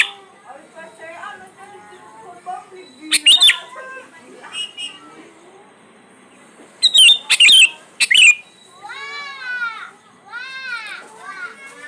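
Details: Lure song of the sooty-headed bulbul, played to get quiet birds singing. Three loud, sharp chirping bursts stand out among softer chatter. A series of arched, repeated whistled notes from another bird sounds near the end.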